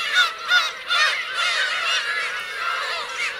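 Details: Black-tailed gulls with their chicks at Kurosaki coast, Teuri Island, Hokkaido, Japan, June 2021: three loud nasal mewing cries open the clip in quick succession, then blend into a background chorus of many calling gulls.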